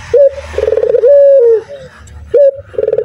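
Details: Male local spotted dove calling loudly: a short rising note, then a rapid trembling stutter leading into a long steady hooting coo that falls at the end, the phrase starting again after a pause.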